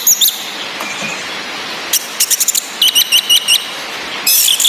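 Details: Female orange-headed thrush ngecis calls used as therapy to get twittering males singing: a quick series of short, clipped high chirps repeated about twice per second, plus brief buzzy bursts, amid rain noise.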